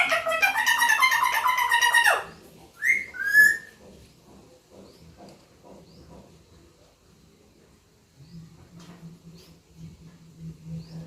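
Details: Talking parrot said to say "papa": two seconds of dense, buzzy chattering syllables, then two short rising squeaky notes, followed by near silence and a faint low hum.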